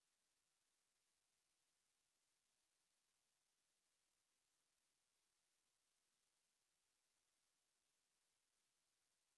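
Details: Near silence with only a very faint, even hiss.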